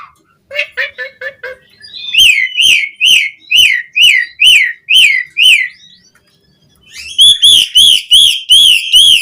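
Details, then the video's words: Asian pied starling singing a varied fill-in song meant to tutor captive starlings. Short stuttered chirps, then a long run of loud, evenly spaced whistled notes rising and falling, about two per second, resumed after a pause. "Suara Jalak Suren Gacor Full Isian Variasi"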